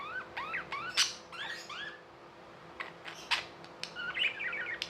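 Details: Budgerigars make curved, rising-and-falling squeaky whistles and sharp clicks, then a short rapid warble near the end, with a light electrical hum behind.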